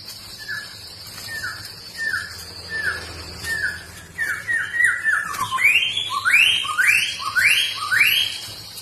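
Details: Trotol in full song: short downslurred whistles repeated about once a second, quickening into a run, then loud upward-sweeping whistled notes repeated roughly every half second over a faint steady high tone.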